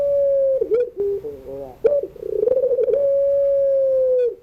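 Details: Puter pelung dove giving its evening crying song, a training sound for young birds: a held coo breaks into a low dip and wobbling notes, then a rapid pulsing trill rises into another long, level, sustained tone.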